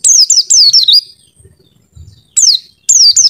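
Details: Pleci, the Oriental white-eye, masteran song with a clear voice: short phrases of two or three high, sweeping, downward whistles, then a pause, and then more phrases. Faint low knocks are heard in the gap.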